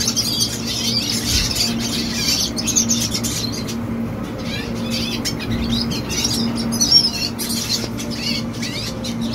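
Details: Young red siskin singing: a continuous rapid stream of high twittering, buzzy chatter and trills, with a steady low hum in the background.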